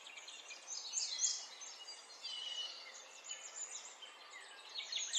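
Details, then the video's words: Spring birdsong in natural surroundings, a softer mix of high chirps, short warbled phrases and sliding notes from several songbirds, fairly quiet against light background hiss. "تغريد العصافير في الطبيعه. اجواء الربيع"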